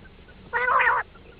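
A quail gives one rich, harmonic call lasting about half a second, against a quiet background hiss.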